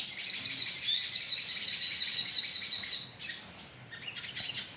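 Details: Lure sound of a sogon colony, many birds chirping together in a bright continuous twitter, then a few separate high rising notes and brief pauses.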